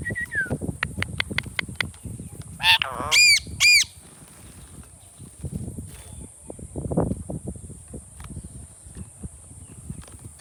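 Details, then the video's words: Indian ringneck parakeet, described as a talking bird, gives three shrill, harmonic squawks in close succession midway, among clicking, tapping and low rumbling household noise that continues throughout. "Funny Talking Ringneck Parrot"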